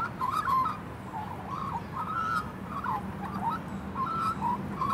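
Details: A juvenile female magpie, very happy, pours out a continuous warbling thank-you song of quick liquid whistles and gurgles, over a faint steady hum and low rumble.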